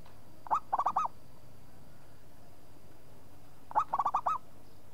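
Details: Local zebra dove singing two matching cooing phrases about three seconds apart, each a fast run of four to five bubbly, rolling notes ending in an upturned flourish, with a faint steady whine and low hum behind.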